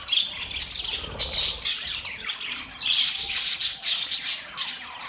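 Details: Budgerigars giving mating sounds, a continuous high scratchy warble of chirps and squawks from several birds chattering together, with brief dips in loudness.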